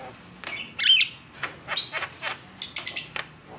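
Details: Javan myna calling to provoke a silent bird into song: a loud harsh squawk near the first second, followed by a string of short rasping chips and a few high sharp notes.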